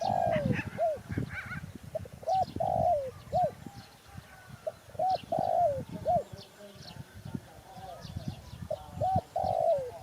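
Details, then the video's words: Spotted dove giving soft, low coos in short phrases, several notes rising then dropping, repeated every couple of seconds; faint chirps of other birds behind. "Sound Spotted Dove"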